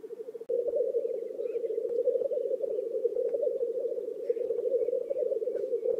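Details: Black grouse lekking in a swamp in Oulu, Finland, on 5 May 2022, a courtship display: after a brief quiet start, a steady low bubbling, cooing chorus rolls on without a break, pulsing rapidly throughout.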